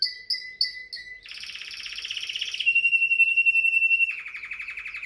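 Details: A Timbrado canary gives four short paired notes, then a loud dense rolling trill that settles into a steady pure tone and ends in a lower buzzing roll.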